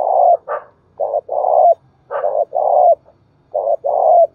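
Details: Spotted dove cooing repeatedly, in the thúc bổi or gáy gọi style. Three similar phrases, each a brief coo followed by a longer buzzy coo, come about every one and a half seconds. A few sharper accent notes are heard, with a quiet background.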